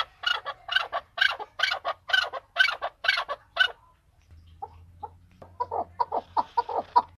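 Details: Excited male chukar recorded in Tajikistan in 2020. Harsh, full-toned calls repeat roughly twice a second, fall silent, then return as quieter, irregular clucking over a low hum.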